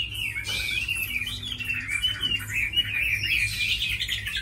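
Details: Tame caged Chinese hwamei, kept as a fighting and singing bird, delivering a continuous warbling run of rich whistled notes that rise and fall, with a faint low hum underneath.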